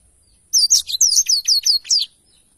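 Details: Short black-throated canary phrase from a tutor recording for songbirds: about seven high, downslurred whistled notes in quick, even succession, lasting one and a half seconds.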